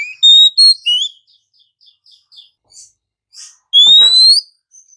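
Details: Morning song of an Oriental magpie-robin: a few loud clear whistles, then soft short notes at intervals, then a long rising whistle with a brief click just before it.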